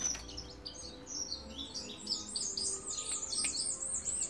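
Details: Caged Cuban bullfinch sitting on a hand delivers a bright, high-pitched song of rapid chirps and short down-slurred whistles, strung together in a continuous tinkling chatter over faint room noise.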